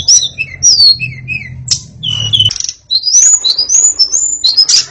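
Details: White-rumped shama song of rich whistled slurs at shifting pitches, some falling, some rising, delivered in quick succession over a faint low hum.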